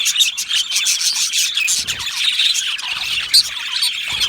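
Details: Budgerigars in an aviary colony, a dense, continuous chatter of high chirps and warbles, with a few sharper squeaks standing out near the end.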